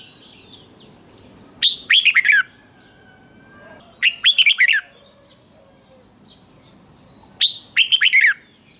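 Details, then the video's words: Red-whiskered bulbul, a wild-caught male, in a singing contest: three loud, bubbly whistled phrases, each under a second long and roughly three seconds apart, with faint thin notes between them. "Kích Chào Mào Hót Đấu. Chào Mào Kích Trống Hót Căng Lửa"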